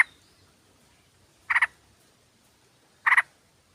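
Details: Sooty-headed bulbul female calling to a male, used as a lure recording: two short, harsh, stuttering bursts about one and a half seconds apart against a quiet background.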